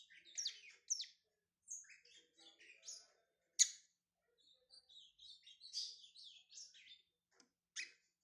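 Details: A brown-plumaged ('pardo') Lined Seedeater warming up: a rapid, high jumble of chirps, buzzy trills and sharp whistled notes with short pauses, one loud sharp note near the middle.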